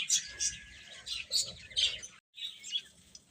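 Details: Chicken chicks give loud, high piping chirps in clustered bursts, briefly cut to silence near the middle before the peeping resumes more softly.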